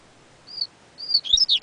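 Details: Brief yellow-bellied seedeater phrase, known as coleiro baiano: two separate thin level whistles, then a quick cluster of sliding notes cut off at the end.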